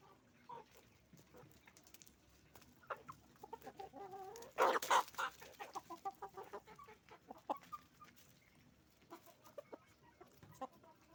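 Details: Roosters and hens on a chicken farm, a dense chorus of rapid clucks from many birds with one loud harsh outburst midway, over a constant low background noise.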